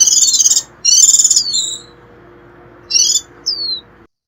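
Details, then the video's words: White-eye giving a 'rít' shrill call used to lure wild birds: dense, high, rapidly warbled twittering bursts, two long phrases then two short ones with a brief falling whistle, over a clean background. "Tiếng chim khuyên rít kéo bổi về"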